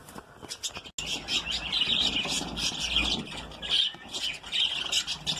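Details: A breeding colony of lovebirds keeps up busy, high-pitched twittering and shrill chirps, loud and continuous, broken by a brief drop-out near the start.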